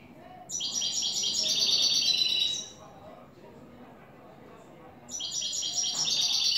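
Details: European goldfinch, newly acquired, delivering clean "tres vueltas" song: a sustained two-second run of fast, high, tinkling and buzzy notes, a silent gap of over two seconds, then the rapid twittering resumes.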